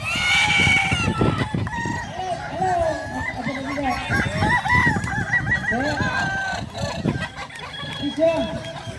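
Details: Balenggek chicken crowing competition, Danau Bawah, Solok Regency, Sunday 6 October 2024; a long chain of rising and falling crow syllables runs for several seconds, with other roosters and a noisy crowd underneath.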